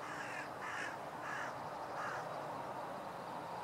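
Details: Crows in a standoff with a Northern Goshawk, recorded 2016-04-04: four harsh, hoarse caws about half a second apart over a steady background hiss.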